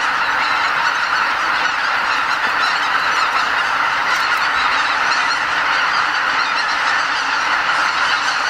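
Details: About 80,000 greater white-fronted geese leave their roost before dawn at Lake Miyajimanuma, Bibai, Hokkaido, on their spring migration stopover. They fill the air with a dense, unbroken roar of high yelping honks, thousands of voices overlapping.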